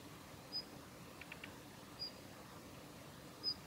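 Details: Female Daurian redstart giving ground calls at Kita-Fuji training area, Japan, on 7 November 2021: thin, high, sharp single notes repeated about every one and a half seconds over steady broadband background hiss.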